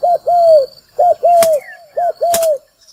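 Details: Lure call of a spotted dove used for bird trapping: three phrases, each a brief coo followed by a longer, level, mellow coo, given at roughly one-second intervals; faint thin whistles and two clicks in the background.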